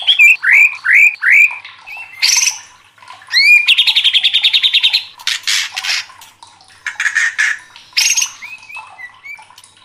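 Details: Emotionally worked-up white-rumped shama. Repeated upslurred whistles open the song, followed by harsh noisy bursts, a long rapid churring trill, more scratchy notes and soft closing whistles.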